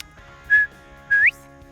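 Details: A wild male Northern Bobwhite on a Florida hunting lodge gives its clear two-note 'bob-white' whistle: a short level 'bob', then a louder 'white' slurring sharply upward, over a faint low hum.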